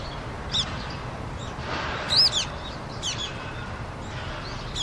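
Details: Brown-eared bulbuls at a rooftop in Seoul, Korea, drinking in winter, February 2020, after water froze; shrill arched squeals and high chirps, separated by short pauses, over distant city rumble.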